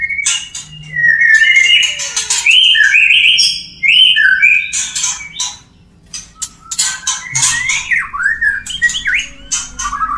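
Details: Male white-rumped shama's mating song aimed at a female, with rich slurred whistles and warbles, then a brief silence before a softer stretch of twittering, rising and falling whistled notes.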